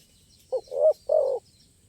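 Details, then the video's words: Spotted dove recorded at a dove-luring site, where a crisp-voiced bird full of stuttering sound play dominates. One short three-part coo phrase: a brief low note, then two longer hoarse coos, with a faint hum in the background. "Suara Burung Ini Berkelas Dan Mewah"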